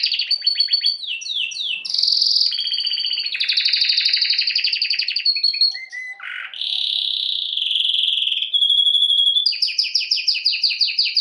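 A canary sings a fast, continuous run of bright trills and rolling tours, shifting between buzzy rattles and clear whistled notes high in pitch.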